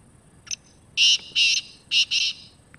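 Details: Loud, clear call of a wild black francolin: a thin introductory note, then four harsh, scratchy bursts paired two and two, over a faint high hiss.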